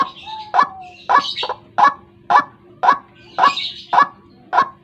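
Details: White-breasted waterhen lure call used for trapping in the morning: loud repeated croaking notes near twice a second, with whistled slides and a low steady hum behind.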